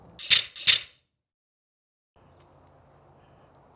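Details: Two sharp, bright clicks in quick succession, then silence and a faint low hum with no animal voice.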